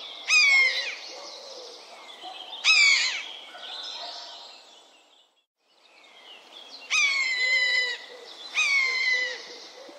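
A common buzzard gives four loud, drawn-out mewing calls, each sliding down in pitch, spaced a few seconds apart over a faint, quiet background.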